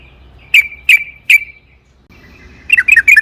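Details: Sooty-headed bulbul lure song: three emphatic chirps with lingering tails, a pause, then a quick burst of tumbling whistled notes over soft low noise.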